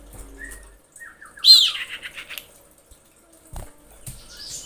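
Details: Female common iora in breeding condition calling males: short soft whistles, then a loud high downslurred note dissolving into a rapid string of descending chirps, with scattered clicks and knocks later.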